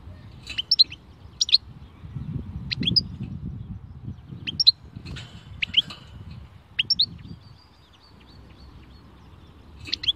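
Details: European goldfinch, khalwi song style, giving a series of separate sharp, high twittering notes in pairs and triplets, roughly one every second, with light background noise.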